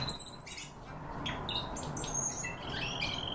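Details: A Barn swallow gives a rapid jumble of high twittering and squeaky notes, several per second, over a soft background hiss.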